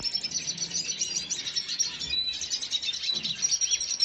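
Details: Red siskin recorded on 2022.06.05, giving a dense run of high, thin chirps and twitters that overlap continuously, with a brief gap near the middle and faint low background noise.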